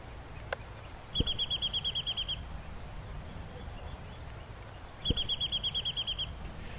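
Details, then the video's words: Wrentit in chaparral on the drier sandstone slopes of Mount Diablo's Curry Point Loop gives two quick runs of about ten bright, high, even notes, like a decelerating ping-pong ball, over a low outdoor rumble. "Then there's the birds called Wrentits, which have an easy-to-remember call that sounds like a slowly decelerating ping-pong ball."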